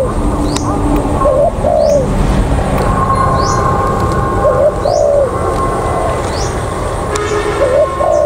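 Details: A spotted dove, a decoy set on the ground at An Phú around 6:15, gives three soft, low two-part cooing rolls about three seconds apart, with faint high rising chirps and a steady hiss behind.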